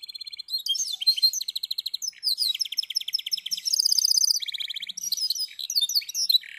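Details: Canary (Serinus canaria), a cross of F1 Yorkshire and F1 Scotch Fancy from Bandung Barat–Cimahi, Indonesia, sings a fast, continuous song of bright trills, rolling chatters and high whistled phrases that shift pitch every second or so.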